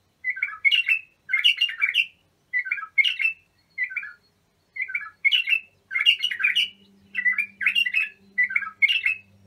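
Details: Bulbul singing for young bulbuls to learn: repeated short warbled and chattering phrases in quick succession, with a steady low electrical-sounding hum joining in the second half.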